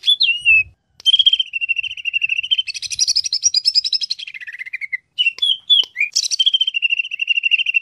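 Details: Greater green leafbird singing a continuous, varied song: high whistled phrases, clear sliding notes held near one pitch, rapid chattering trills and buzzy bursts, with short pauses around one and five seconds.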